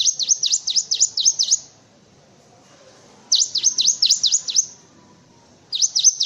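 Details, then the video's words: Cinereous tit song used as a master recording for tutoring white-eyes and other birds: bursts of rapid, high, V-shaped whistled notes, about six to eight per burst, separated by short pauses over a faint background hum. "Suara Burung Gelatik Batu untuk masteran"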